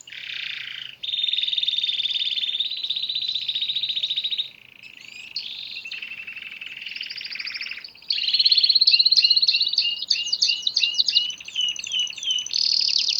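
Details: Canary singing with loud sustained rolling trills for several seconds, a quieter buzzy passage, then a burst of rapid repeated sharp chirps and a high trill.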